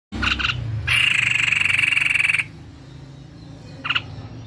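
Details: White-necked babbler singing in a lively, active way: a long harsh buzzy rattle of about one and a half seconds, with short buzzy bursts before it and one brief burst near the end.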